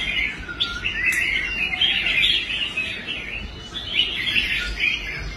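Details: Bright, fluent warbling from a caged red-whiskered bulbul, once a contest dropout now restored and singing strongly on the rack, with a few sharp higher notes among rolling chirps.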